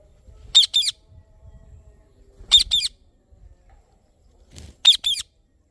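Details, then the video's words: Indian ringneck parrot calling in sharp, shrill double squawks, each pair closely spaced and repeated roughly every two seconds, three pairs in all, with faint low rumbling between calls. "Parrot Chirping Sounds / Voice"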